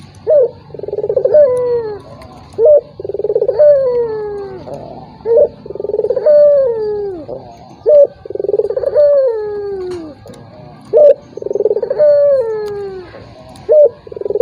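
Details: Repeated coos of a turtle dove, used to bait a reluctant rival into calling; some six phrases, each opening with a short upward note and trailing into a pulsing, falling roll.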